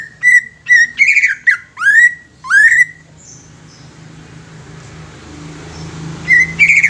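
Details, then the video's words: Young greater green leafbird singing, used as a lure to stimulate untrained wild-caught leafbirds. Clear whistled notes near one pitch, then rising swept whistles in quick succession for three seconds, a pause with low hum, and a brief bright phrase at the end. "CUCAK IJO MUDA INI COCOK UNTUK PANCINGAN CUCAK IJO BAKALAN"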